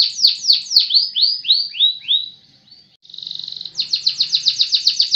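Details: Canary in full song: high, sweet notes sliding down, repeated about three per second, then a steady buzzy rattle and a fast run of bright chipping notes.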